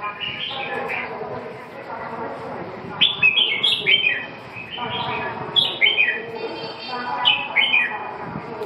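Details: Red-whiskered bulbul delivering repeated bursts of cheerful, fluty whistled phrases, each a quick chain of descending and rising notes, returning roughly every two seconds over a persistent background hum.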